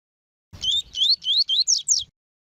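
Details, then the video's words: Double-collared seedeater singing the tuí tuí song for warming up and tutoring young birds: a fast run of six or seven rising whistled slurs, later notes sweeping more steeply, with slight low background rumble. "ESQUENTAR CANTO DO COLEIRO TUÍ TUÍ PARA ENCARTE TUÍ TUÍ PERFEITO PARA ENSINAR PAPA CAPIM E COLEIRO"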